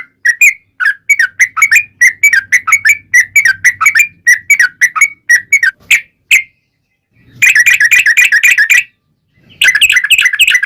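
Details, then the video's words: Long-running song of an energetic yellow-vented bulbul, a lure to make other bulbuls call back. Rapid chain of liquid whistled notes for six seconds, a pause, then two dense chattering bursts. "SUARA trucukan gacor ROPEL PANJANG pancingan trucukan agar bunyi"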